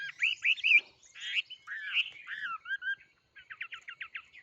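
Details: Songbird singing a varied run of clear whistled notes and buzzy slurred phrases, ending in a quick series of short repeated chips.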